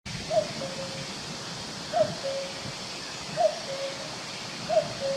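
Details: Cuckoo calling in a forest, recorded on a woodland walk: four clear two-note cuckoo calls, a higher note dropping to a lower steady one, repeated about every one and a half seconds over soft rustling background.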